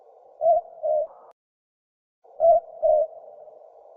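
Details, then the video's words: A Southern boobook (mopoke) owl gives its hooted two-note 'boo-book', the second note slightly lower, repeated about every two seconds over a steady low hum. "Southern Boobook - Bird calls"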